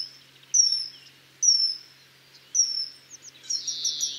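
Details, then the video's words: Common kingfisher giving three piercing, thin high whistles, each about half a second long and spaced roughly a second apart, ending in a burst of harsher, higher chattering notes. "O canto do Guarda-rios (Alcedo atthis)"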